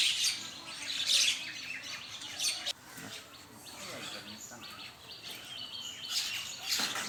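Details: A morning feeding flock of common mynas in Bangladesh gives bursts of bright, scratchy chirps and squawks, loudest at the start and end, with quieter chatter between.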